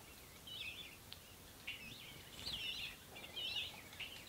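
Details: Ruby-throated hummingbirds battling at feeders: rapid, squeaky, twisting chips and chatters, high-pitched and grouped in short bursts of about half a second, repeated irregularly over quiet background hiss.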